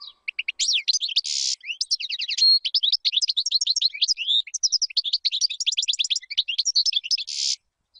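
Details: Extended European goldfinch song meant to teach chicks: an unbroken, rapid, jangling twitter of high notes with short trills and two harsh buzzy bursts.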